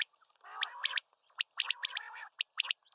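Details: Common quail song of sharp, clipped high notes in quick triplets, repeated about once a second over a lower rasping buzz.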